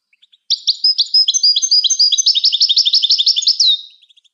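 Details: European goldfinch singing to stimulate and train other birds: after a few soft chips, an unbroken three-second run of rapid, bright twittering and trills, finishing with a falling whistled note.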